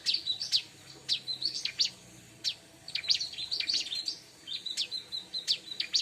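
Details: Singing bar-winged prinia, played to draw in wild birds: rhythmic runs of high, piercing chirps, each phrase about a second long, repeated after short gaps, crisp and loud against near silence.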